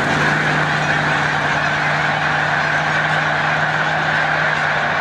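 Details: Large snow goose flock on spring migration at Montezuma, New York, 7 March 2022, rising into flight; loud, blended honking fills the air evenly, accompanied by a low constant drone.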